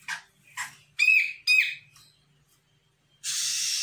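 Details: A young untrained Sumatran grey-cheeked bulbul, answering a lure call, utters four quick rasping notes. The later notes have a brief whistled core, followed by a steady hiss of noise.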